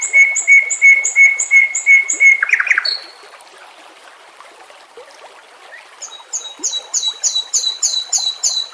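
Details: White-rumped shama song meant for training captive birds, with a water background; even, repeated mid-pitched notes for over two seconds, a short flourish, a quiet gap, then a fast train of high, sharp notes.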